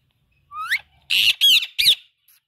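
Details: An Indian ringneck parakeet, the talking kind, gives a smooth rising whistle followed by three loud raspy squawks in quick succession.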